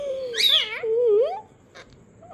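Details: Pet parrot producing a long, wavering, rising and falling squawk with bright overtones, followed by quieter sounds indoors.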